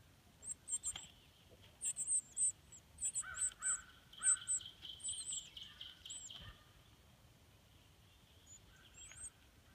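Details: Baby northern cardinals being fed in their nest: rapid bursts of sharp, high-pitched peeping notes, bunched in short runs for about six seconds, with a few lower tonal notes mixed in, then fading to sparse faint chirps.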